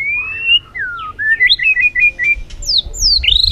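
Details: White-rumped shama trained to sing many forest-style phrases: clear whistled notes gliding up and down between varied phrases, short sweeping slurs, ending in a rising upslurred whistle; faint low background hum.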